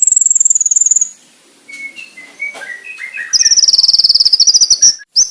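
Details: Konin master song for bird training: a high rapid trill, a quiet stretch of soft lower warbled notes, then another loud fast rattling trill.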